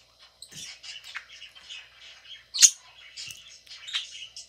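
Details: While eating, a budgerigar utters clear, close chirps and scratchy warbled notes in quick runs, with one sudden loud squeaky chirp in the middle and a silent start.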